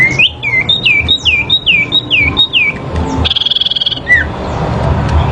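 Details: Sooty-headed bulbul in a fighting duel, recorded for therapy: a run of about eight quick slurred whistles, each rising then dropping, followed by a loud steady buzzing drone and one final down-slurred note.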